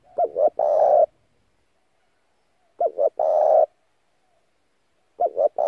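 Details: Decoy spotted dove cooing to lure other doves: three repeated phrases about two and a half seconds apart, each two quick hollow notes followed by a long, rough, steady coo.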